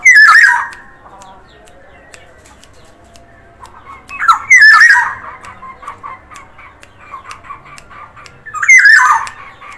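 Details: Energetic singing from a Sumbawa black-naped oriole: three rich whistled phrases spaced roughly four seconds apart, each bright and slurred, with faint ticking and murmur between them.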